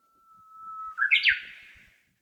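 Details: Small bird singing in Nishinokubo Park, Amakusa, Kumamoto, Japan, during hot early-summer weather: a long, steady, level whistle, then a quick rising flourish of clear notes that fades out.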